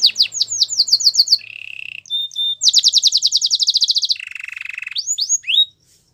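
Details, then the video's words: Belgian canary's powerful song: a rapid high trill, a low purring roll, a short clear note, a loud fast rattle, another low buzzy roll, and a few swooping slurs before falling silent. "Canary's most powerful song | Belgian canary singing"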